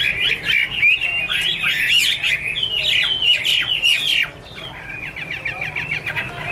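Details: Chinese hwamei song: energetic, rapid sequence of slurred whistles and harsh notes for about four seconds, then a quieter series of quick repeated chips.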